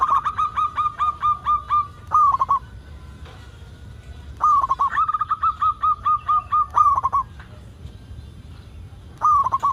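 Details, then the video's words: Singing local zebra dove, used as a lure so other zebra doves start singing: repeated phrases of even, mellow coo notes, each closing with a rapid stuttered flourish, separated by brief quiet gaps. "Perkutut Lokal Gacor AMPUH Untuk Pancingan Semua Burung Perkutut Agar Cepat Bunyi"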